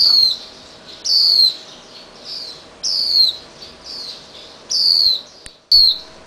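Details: A young Swinhoe's white-eye, possibly injured, released and hopping back and forth on garage beams as its parents chase it with red berries; clear, thin, downslurred notes repeat roughly once a second, each briefly ringing with overtones.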